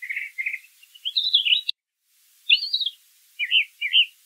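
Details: Brown thrasher song in nature: rough, burry chirped phrases run together, a brief dropout of all sound, then further slurred phrases and a pair of matching chirps.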